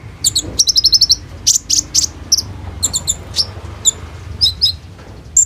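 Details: Kolibri ninja sunbird singing 'roll tembak' filler phrases, meant as a lure song for konin birds and recorded on an Oppo A37f phone. Quick high note series and scattered sharp metallic chirps over a faint low hum.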